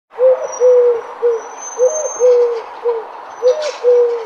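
A dove gives soft, low, hollow coos in a repeated three-note phrase, about eight notes in four seconds, over a faint hiss and a thin high whine.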